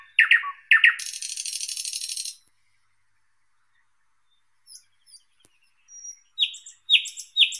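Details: Thrush nightingale (Luscinia luscinia) singing: two loud, sharp descending notes, then a dry buzzy rattle lasting over a second, a pause of silence, and faint scattered clicks before several bright, abrupt whistled notes at the end.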